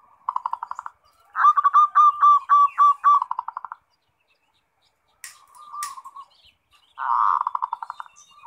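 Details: Perkutut, the zebra dove, singing 'ngerot' as a lure for other kept doves: bursts of loud, regular staccato cooing pulses repeated several times, with a couple of sharp clicks between phrases.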